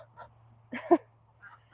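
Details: Domestic ducks and geese on a farm in the morning, still penned before being let out: a single loud, harsh honking burst stands out among fainter quacks and calls, over a steady low mechanical hum.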